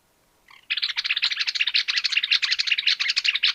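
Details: Greater Wagtail-Tyrant in Argentina: a fast, scratchy chatter of bright notes pouring out nonstop for about three seconds, loud and high-pitched, with nothing else audible.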